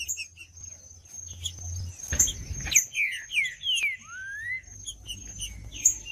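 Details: Green-winged saltator singing, used to warm up a cold bird: sparse whistled notes sliding down, ending with a long rising whistle, plus a faint steady high tone and a short burst of noise.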